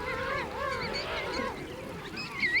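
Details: King penguins calling in a colony of about 3,000 pairs with fluffy brown chicks, standing in huddled groups in snow at the base of mountains at Fortuna Bay, a calm scene: overlapping wavering trumpet-like notes rising and falling over a murmur of many voices.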